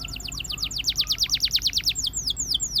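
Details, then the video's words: A Russian canary sings a steady run of sharply descending whistled notes, about six per second, then softer slurred notes over a low background hum. "The Russian Canary Invites All Canaries to Sing"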